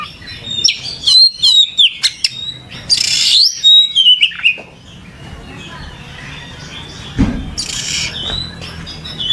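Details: Oriental magpie-robin song: loud quick whistled notes and a harsh buzzy burst in the first half, then quieter with a single thump and a distant rasping burst later.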